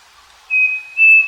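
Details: Live farm recording of a Striped cuckoo (saci) song: a steady whistled note followed by a second, slightly higher and stronger whistle, pure-toned and clear.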